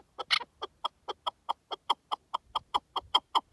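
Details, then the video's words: In the wild, a partridge delivers evenly spaced, throaty clucking notes, about four per second and steady in loudness, after an opening louder, harsher note. "Pure Partridge Calls in the Wild"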